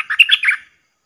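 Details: A red-whiskered bulbul, a decoy bird played for young birds to learn from and sing along to, gives a quick, bubbly phrase of four or five liquid, warbled mid-high notes in about half a second, then silence.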